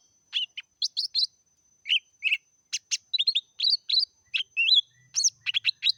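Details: Meratoh-style singing from a lesser green leafbird, packed with rapid chirps, warbled slurred whistles and harsh buzzy notes in lively clusters, while a faint steady high whine runs underneath.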